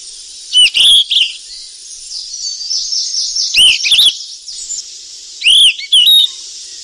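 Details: Golden flycatcher in the wild while feeding chicks: loud clipped chirps with upswept whistles in three bursts, the middle stretch carrying softer twittering under a steady high insect hiss.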